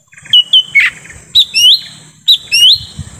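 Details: Forest lure call of a lesser green leafbird for attracting wild birds: whistled notes and a harsh burst, then rising slurred whistles repeated about once a second.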